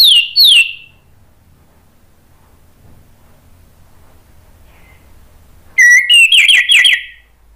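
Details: Orange-headed thrush song used as a lure to make others respond: two short downslurred whistles, a long silence, then a burst of high sliding whistles and rapid notes.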